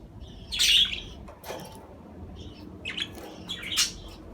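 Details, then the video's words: A budgerigar gives a loud raspy squawk, then after a pause a cluster of short high chirps and scratchy notes rising toward a final sharp squeak. "أصوات طيور الحب البادجي"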